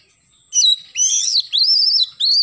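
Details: Oriental magpie-robin singing strongly in the morning, with a run of loud, continuous, warbling high whistles that slide and bend, broken by short pauses.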